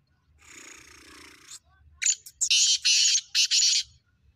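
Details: Black francolin, prepared for the season. A soft hissing rasp comes first, then a rapid string of four to five loud, grating, buzzy notes.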